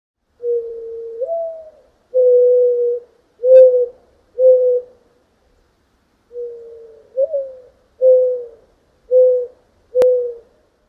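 Mourning Dove giving two soft, low, hollow coo phrases, each opening with a drawn-out rising note and followed by three shorter even coos. Faint clicks in the background.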